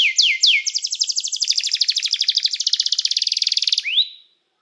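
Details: Canary song meant to call other canaries to sing and to train them: a few descending sweeps, then a long fast buzzy trill of rapid repeated notes, ending in a rising whistle.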